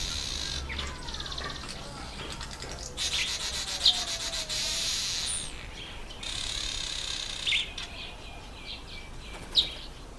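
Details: Red bishop during the October–November breeding season, in reedy habitat over water. Repeated hissing, sizzling buzzes lasting one to two seconds alternate with brief sharp chips and quieter chatter.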